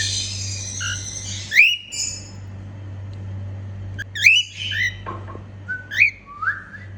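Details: Female cockatiel singing and making happy sounds: scattered sharp rising whistles and chirps with silent gaps between, a falling whistle near the end, faint hum.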